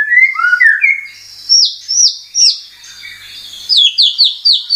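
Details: Murai batu (white-rumped shama) lure recording meant to trigger singing: sweet mid-pitched whistles open, followed by loud high downslurred notes and a fast run of repeated high chips near the end.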